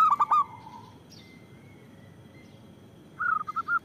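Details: A local zebra dove in loud song, used for luring and provoking. A short burst of four hooked coos is followed by a long quiet gap, then a quick series of bright, short notes.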